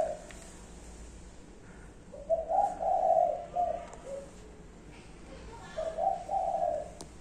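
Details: Five-note cooing of a spotted dove: after a quiet start, a run of soft, low hooted notes, then a second shorter burst of mellow coos near the end.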